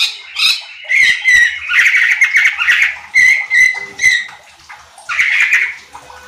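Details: Cucak cungkok bulbul singing loudly, used as a lure recording to provoke other birds; bursts of chattering, slurred phrases around a steady mid-pitched tone, several notes per second with short pauses between phrases.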